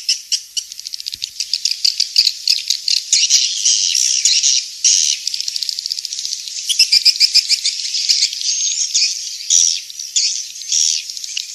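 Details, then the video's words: Swiftlet calls used as a lure for swiftlet houses: long stretches of rapid high clicking trills mixed with twittering chirps, overlapping voices forming a steady chorus. "Suara Walet King'S Star"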